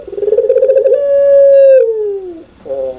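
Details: Puter pelung spotted dove calling loudly and clearly: a rapid throbbing coo running into a long, steady, drawn-out note that sags at the end, then a fresh coo begins.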